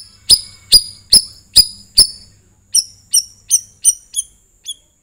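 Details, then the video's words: A sooty-headed bulbul calling, used to prompt other birds to sing: a quick series of about eleven sharp, high chirps, each dropping quickly in pitch, roughly two to three per second, with no other sounds. "KICAU CUCAK RAWIS"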